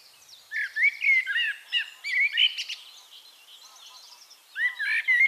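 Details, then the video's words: Singing Eurasian blackbird recorded at Castricum in the Netherlands, giving mellow fluted phrases with rising and falling slurs followed by thinner twitters, a quiet gap of about a second, then another warbled phrase begins. "One Hour Relaxing Birdsong: Blackbird"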